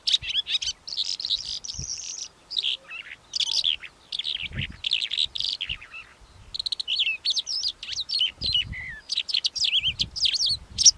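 A Calandra lark pours out a rapid, high, jumbled song of scratchy chirps and clear whistled notes, barely pausing, with a few soft low thumps.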